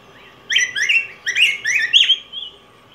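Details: A yellow grosbeak (Pheucticus chrysopeplus) sings a rich, warbled phrase of about six quick, slurred notes that rise and fall over two seconds, over a faint steady hum.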